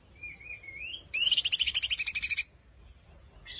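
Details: A cucak cungkok, for song-mastering, sings a thin rising whistle, then a fast rattling burst of about fourteen sharp, high, buzzy notes, ending with one piercing note; its first phrase is long, later ones shorter.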